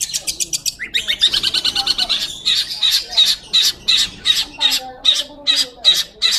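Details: Long-tailed shrike in lively song, a clear recording: quick harsh chatter at first, then slower, evenly spaced rasping notes about every half second, all high-pitched and grating.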